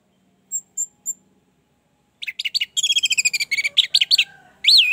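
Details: Orange-headed thrush song, used as a lure to get a stuck, reluctant bird singing. Three short high notes, a pause, then a fast run of rapid, varied chirps and trills ending in a loud swooping note.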